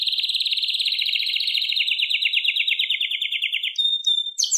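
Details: Long, slowly descending rapid trill from a singing canary, Serinus canaria, ending with a thin whistled tone and a brief high burst.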